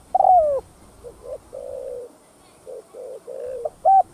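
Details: Spotted dove cooing for stimulating decoy doves, 'thúc gù' style: a loud falling hoot opens, followed by a string of quiet, muffled short coos and a long low hum, ending on a clear note.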